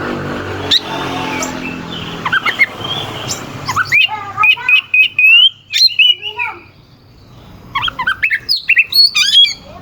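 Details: Oriental magpie-robin song used to provoke rival birds into singing: opening murmur of voices, then loud sharp whistles, chattering notes and short rising slurs in bursts.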